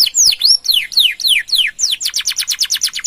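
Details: Gacor canary, long 'nembak' song with 'gereja' fill used to bait and tutor other birds: slow, loud downslurred whistles, about seven, then a fast even run of short repeated notes.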